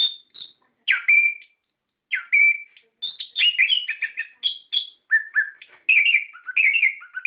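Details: Orange-headed thrush lure song for stirring captive birds to sing in loud, rolling gacor style. It starts with spaced, slurred whistles, then runs into a continuous warble of mixed whistled and chattering notes over its second half.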